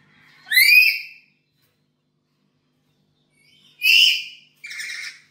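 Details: Domestic black-capped lory used as a training lure, calling actively: one rising, scratchy screech, a long silence, then two harsh calls in quick succession, the last one buzzier and flatter.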